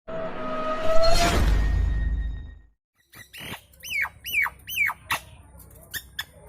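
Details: Loud lure recording of a Nias hill myna, played to prompt other birds to answer and sing: a burst of broadband noise, then a run of sharp, hooked whistles, each rising then dropping, repeated roughly every half second.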